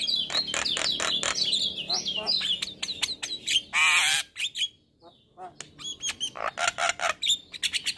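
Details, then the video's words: Vigorously singing male Javan myna in the morning, song stuffed with fill-in phrases: dense twittering and whistles, a harsh buzzy burst, a brief pause, then a rapid string of sharp chirps. "Masteran Jalak Kebo Pagi Hari Jalak Kebo Jantan Gacor Full isian"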